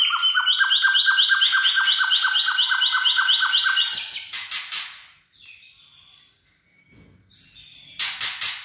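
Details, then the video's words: Wild-caught White-rumped shama at peak singing form, giving a loud, steady series of repeated ringing whistled notes about twice a second, then harsh buzzy bursts and scratchy phrases. "CB Trâu Rừng đạt đỉnh lửa (shama bird)"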